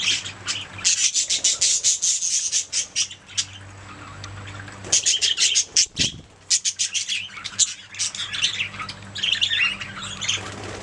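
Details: Budgies singing in loud runs of rapid clicking chirps and buzzy warbles, two long bursts split by a short pause, low hum throughout.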